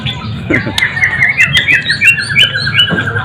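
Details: Golden-voiced murai batu, or white-rumped shama, gives a short rapid trill of whistled notes sliding slowly downward, about three per second, over low background noise.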